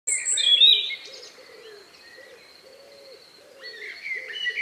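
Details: Evening birdsong in the countryside a few minutes before night, recorded outdoors around 9 p.m. on May 2, 2020; a loud high warbled phrase opens, then thin sustained whistles over a steady series of low soft hooting notes.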